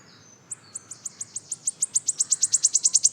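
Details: Wood warbler singing in West Wales: a thin high note, then an accelerating series of sharp ticking notes that speed up and grow louder into a shivering trill, like a spinning coin falling over on a table.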